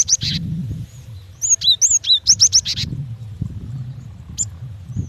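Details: Calling female cinereous tit, used to lure males: two sharp chirps open, then a tight burst of about eight high whistled notes, some rising and some falling, and later one isolated chirp, with steady low rumbling noise throughout.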